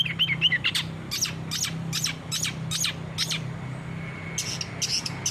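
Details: Long-tailed shrike song as training material for caged birds: loud harsh squawks repeated about twice a second, a brief thin whistle, then more clipped notes, with a low hum beneath.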